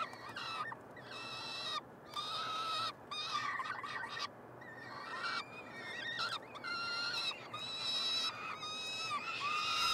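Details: Three young peregrine falcons being fed in their nestbox, University of Montreal, Quebec, 21 June 2022, giving harsh screaming calls in irregular bursts, some clipped and some sustained, growing louder toward the end.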